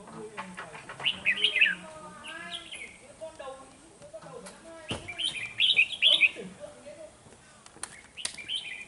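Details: Decoy red-whiskered bulbul used in trapping, 13 November 2018, singing to provoke rivals: short loud warbled bursts of chirpy notes, two main phrases, amid rustling, low murmurs and scattered clicks.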